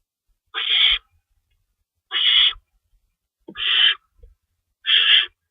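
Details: Owl screeching from a lookout perch just after midnight on March 24, 2012, after being seen chasing an unknown owl; four harsh, hissing screeches, each under half a second, about a second and a half apart, in a quiet night.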